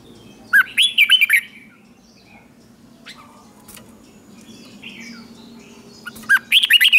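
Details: Morning training song of a red-whiskered bulbul (chào mào) bred for singing contests: a short burst of slurred, bubbly phrases opens the recording, then near silence with a low hum, then another lively warbled burst at the end.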